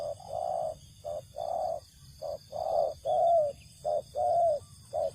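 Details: Spotted dove in a rice field, being lured by a bird catcher, giving a rapid run of short coos and longer slurred notes, closely spaced, over faint steady background hum.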